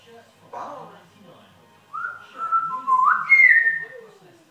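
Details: African grey parrot that swears and talks in a yam yam accent, giving a clear whistled phrase: a short sound, then level whistles stepping up into a higher sliding note, indoors.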